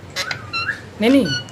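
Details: Pet ring-necked parakeet talking indoors: a short run of squeaky, speech-like syllables with gliding whistled tones, ending in a louder rising-and-falling vocal phrase.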